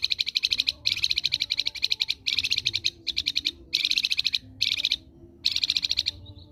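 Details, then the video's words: Flamboyan bird singing energetically, kept as a tutor bird for training other songbirds: loud rapid high trills in bursts of about a second, separated by brief gaps, repeated steadily. "Burung Flamboyan Gacor"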